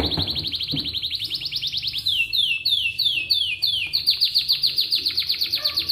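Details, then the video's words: Atlantic canary morning song used to get other canaries singing: quick high trills, a rising sweep, a series of downward slurred whistles with fine upper trills, then loud rhythmic rolling notes repeated several times a second. "Buat Kenari Lain Cepat Bunyi II Pancingan Kenari di Pagi Hari"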